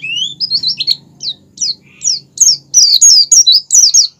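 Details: Lure song of the Oriental white-eye, 'ngerol sambung ngalas' style: a rising whistle opens, then loud, high, slurred chirps come faster and denser toward the end, with a low hum in the background.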